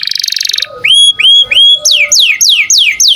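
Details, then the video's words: Canary singing vigorously as master song for songbirds: a buzzy trill, three rising whistled notes in even rhythm, then a row of loud descending swept notes repeated about every third of a second. "Kenari gacor cuit cuit cocok buat masteran burung kicau"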